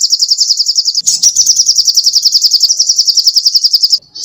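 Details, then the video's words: Energetic sogoh ontong songbird song for training songbirds: an unbroken rapid trill of high, quickly repeated notes lasting about four seconds, ending in a brief rising note. "SUARA BURUNG SOGOH ONTONG GACOR"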